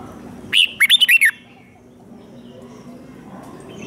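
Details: Red-whiskered bulbul kept captive, fighting song used in training: a single crisp phrase of five rapid bright whistles with downward slurs, followed by near silence.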